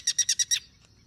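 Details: Guira cuckoo, wild, perched as a sentinel atop a Duranta amid cross-singing and social behaviour: five loud, harsh, evenly spaced rasping notes in about half a second, then quiet background.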